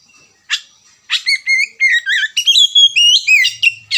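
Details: Oriental magpie-robin (kacer) singing, used as a lure song to prompt other birds into chattering song; after two brief opening notes, a loud rapid run of varied whistled, slurred and buzzy phrases, rising and falling.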